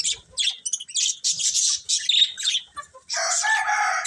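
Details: Colourful pet budgies chirping: dense, buzzy chatter in quick bursts with short gaps, then a longer grating warble toward the end.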